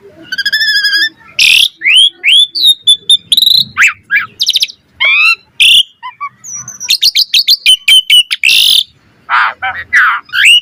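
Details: Asian pied starling in full lively song used as a training recording for other starlings: loud varied whistles, rising and falling slurred notes, harsh buzzy bursts and rapid trills in quick succession.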